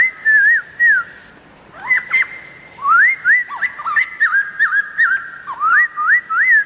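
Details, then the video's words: Wild White-crested Laughingthrush song: loud whistled slurs that rise and fall in a varied, fast sequence, broken by a short pause, with sharp clicky notes mixed in and whistles repeating rapidly toward the end. "Poksay jambul liar"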